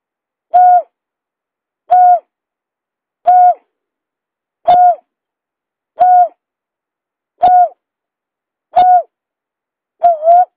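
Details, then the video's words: Lure recording of a buttonquail giving an evenly paced series of eight level, tonal hoots, about one every 1.4 seconds, with no other sounds present. "suara pikat berkik"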